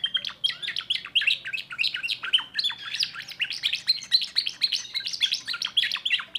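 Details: Young timbrado canary from 2024 performing a new repertoire: an unbroken, rapid stream of sharp, metallic chirps and trilled notes for over six seconds, steady and loud throughout.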